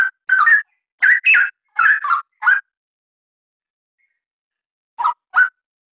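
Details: Straw-headed bulbul (Pycnonotus zeylanicus) song: rich, gurgling whistled phrases in quick bursts, each about a quarter second, pausing before two final notes.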